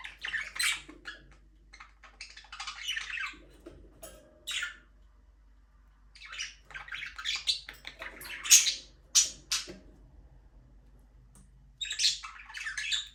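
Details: Budgerigars in a small aviary, free flying, chirping in scattered bursts of scratchy, buzzy chatter separated by quiet pauses, with a faint low hum underneath.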